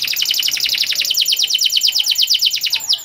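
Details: Canary in long cuit cuit masteran song, played to coax young canaries into singing. It delivers a rapid, even, high rolling trill of repeated chirps that ends with a short downward slur.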